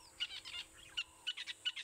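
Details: Red-billed buffalo weavers calling from above at sunrise in Sabi Sand, 5 November, during breeding season after non-stop nest building: harsh, high chattering bursts, sharp squeaky notes repeating about every half second over faint background hiss.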